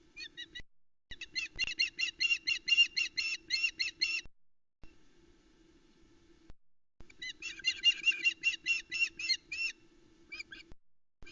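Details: Calling nearby as her mate brings a large headless trout to the Loch Arkaig nest in Scotland on a July morning in 2020, a female osprey gives long rapid strings of shrill whistled yelps, pausing, then resuming, over a constant electrical hum.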